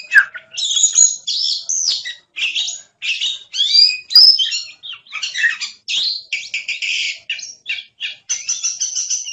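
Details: Oriental magpie-robin singing continuous lively 'gacor' song, a tutor recording for songbirds: a fast, varied stream of whistles, twitters and scratchy buzzy notes in short phrases with brief gaps throughout.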